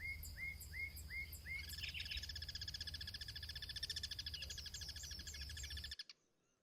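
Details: Wild guira cuckoo (pirincho) sentinels cross-singing: several hooked, downslurred whistles, then a long, loud, rapid rattling series of harsh notes lasting about four seconds before ending abruptly, with a low background hum throughout.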